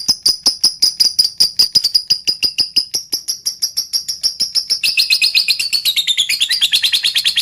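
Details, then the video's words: Caged lovebird song meant to stir other lovebirds to sing: a long run of rapid, high, clipped chirps repeated about three per second, breaking into a denser, buzzier chatter toward the end. "Pancingan Lovebird Full Ngetik Jeda Rapat Untuk Memancing Burung Agar Cepat Panas"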